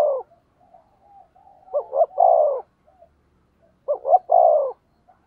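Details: Spotted dove used as a decoy, cooing to attract wild birds: two deep phrases about two seconds apart, each a quick double note followed by a drawn-out, falling coo, with soft murmurs between.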